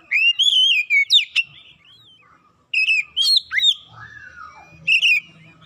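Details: Oriental magpie-robin song, used as therapy to get a silent bird singing: loud whistled phrases sliding and rising, with sharp high notes, two bursts separated by a quiet pause, then a brief final phrase.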